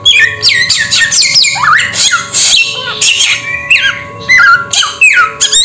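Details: Samyong bird giving a lively string of loud whistled and squawky notes, many swooping down in pitch, uneven in spacing with short gaps; a steady faint hum sits underneath.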